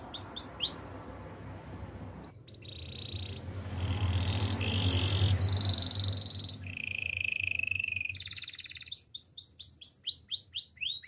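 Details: Canary of the Spanish timbrado breed singing for training: short buzzy rolls and a steady metallic trill, then quick repeated chirps, with a strong low hum running underneath.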